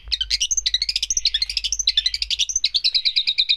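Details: Long-tailed shrike singing energetically, a dense, high chattering song of rapid twittering notes and short squeaky whistles, delivered in quick, uneven bursts without pause.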